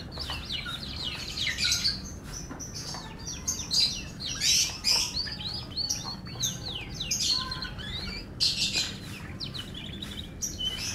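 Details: Long, dense, high-pitched song from an F1 canary, packed with rapid chirps, trills and sweeping notes in surging loud phrases, with a soft constant background hum.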